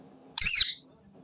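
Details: Green rose-ringed parakeet kept as a pet, giving one harsh, buzzy screech that bursts out loudly and fades within about a third of a second, against a faint low hum.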